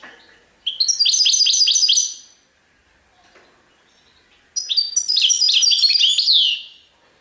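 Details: European goldfinch singing in the Serfati Tiwawati song style: two bursts of rapid, twittering high notes, each under two seconds, dense with quick rising and falling chirps, separated by a quiet pause.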